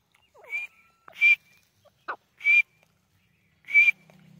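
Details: Grey francolin (teetar) calling: four loud, shrill, harsh notes at regular intervals of about one to one and a half seconds, with a few fainter short downward-sliding notes between them and a low hum near the end.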